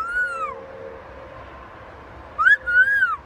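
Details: Macaw parrot making clear whistled notes: one arched whistle that falls away, a long quiet gap, then a rising note and a longer arching whistle in quick succession.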